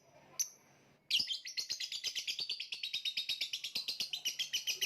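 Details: Lovebird calling with a long rapid series of shrill, buzzy chirps, steady and evenly paced, after one brief whistled note at the start.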